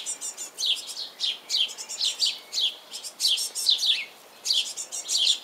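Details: Hungry young great tits (Parus major), fledglings calling for the parents that feed them, beg with high, buzzy, overlapping chirps, repeated several times a second in eager bursts.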